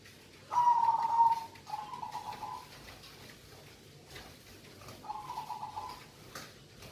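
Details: Local zebra dove: a loud vibrating coo, a softer follow-on note, then after a pause another quieter warbling coo, over a faint room background.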